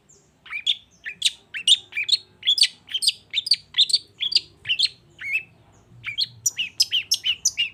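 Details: Long-tailed shrike song that aims to make a quiet shrike join in: a steady run of sweet, slurred whistled notes, each rising then falling, about three per second.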